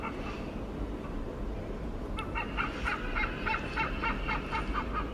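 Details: A hornbill in Singapore gives a fast run of harsh, nasal cackling notes, about four a second, after a quiet start, over a steady low rumble.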